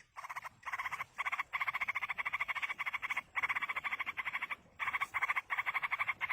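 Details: Yellow-vented bulbul chicks begging in the wild while a parent feeds them: harsh, rapidly pulsed raspy chatter, nearly continuous, broken by brief pauses into long bursts over about six seconds.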